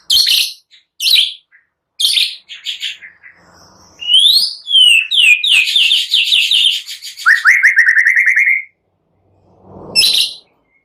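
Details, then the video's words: Lively white-rumped shama song meant to provoke another shama into singing, blended with cililin and prinia sounds: short loud bursts, then swooping whistles and a fast descending rattle of repeated notes, ending in a brief burst. "Pancingan MURAI BATU GACOR"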